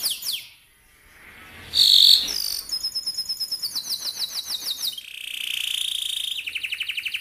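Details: Canary training song for young canaries: sharp chirps, a brief intense buzzy burst, then rapid rolled trills of repeated notes and a long steady buzzy tone ending in quick repeated syllables.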